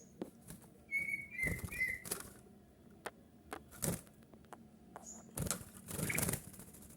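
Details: Kutilang emas bulbul, sung to lure other bulbuls into answering. A cluster of clear whistled notes comes early, followed by repeated rustling, knocking and a burst of fluttering wing-like noise.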